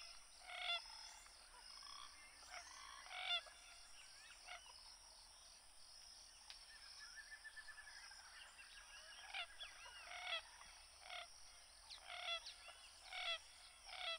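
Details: Common gallinule (Gallinula galeata) giving a series of short, harsh, nasal clucks and squawks in scattered bursts, some louder and closer, with fainter chattering calls between them over a steady high hiss.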